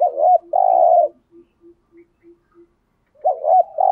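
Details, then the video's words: Spotted dove used as a decoy to attract wild doves: a two-part coo ending in a long hoot, then five soft, low, evenly spaced notes, then another coo phrase. "Tiếng chim cu gáy kích bổi rất hiệu quả/ cu cườm thúc gù bài bản, cu cườm mồi gáy giọng hay"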